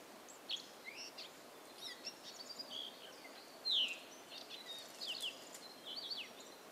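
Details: Pine siskin nestlings at a nest on Clingman's Dome beg as an adult feeds them, giving thin, high chirps and short buzzy notes in quick, irregular bursts over a steady background hiss.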